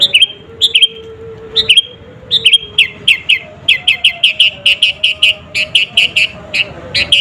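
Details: Lively sooty-headed bulbul song meant to excite rival birds. Bright, chirpy two- or three-note phrases come faster and faster until they run almost continuously. A faint steady low tone sounds beneath.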